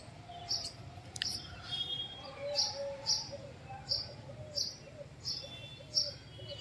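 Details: House Sparrow calling near a fruit garden where sparrows are said to have nearly disappeared; sharp high chirps come roughly every half second to second, over quiet background music and low rumble.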